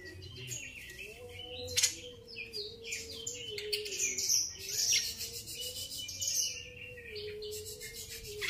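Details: Grey-cheeked bulbul chattering in quick high chirps and scratchy trilled phrases, bursts swelling and easing over eight seconds, with a sharp click early on and a steady low background tone.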